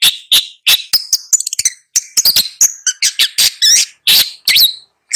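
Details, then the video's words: Long-tailed shrike delivering rapid harsh chatters mixed with short twisted whistles and a few buzzy notes, packed closely together. "Long-tailed Shrike Bird Song, Sound, Call, Chirp, Melody"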